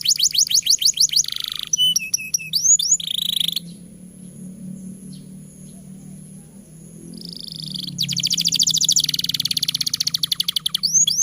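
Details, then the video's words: Canary in long, energetic master song used to prompt young untrained or lazy canaries to sing: fast repeated high whistled trills and downslurred notes, a quiet pause of about four seconds, then buzzy rapid trills resuming. "Suara MASTERAN Kenari Gacor Panjang Sangat Efektif Untuk PANCINGAN Kenari Bahan Dan Malas Bunyi"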